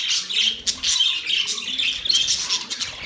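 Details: Budgies chattering in a steady stream of bright, harsh chirps and squeaky twitters. A louder burst starts near the two-second mark, over a weak background hum.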